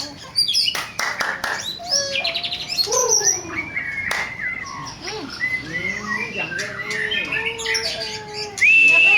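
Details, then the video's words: White-rumped shama, black-tailed Nias form, kept as a daily singer: varied rich phrases of whistles, slurred notes and rapid rattling bursts, with mimicry-like changes, some clicks and a person speaking briefly before. "Nias/ekor hitam harian gacor"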